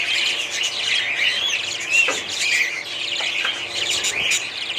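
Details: Budgerigars from a family group, many chirping and warbling together with rapid, overlapping twittering calls and short squawks, dense and continuous throughout.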